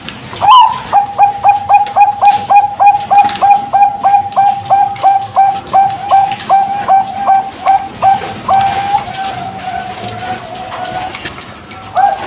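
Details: Bangkok-strain zebra dove, a caged bird hatched in September 2023 in Pasuruan, East Java, Indonesia, delivering a long rapid string of about twenty-five short mellow coos that slows into drawn-out, wavering notes before stopping.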